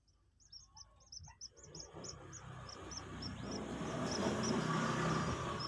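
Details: Two-day-old Common Moorhen chick, newly hatched and being taught to eat feed: thin high peeps repeated about four per second for three seconds, then a rising broadband rustle and low rumble cover the rest.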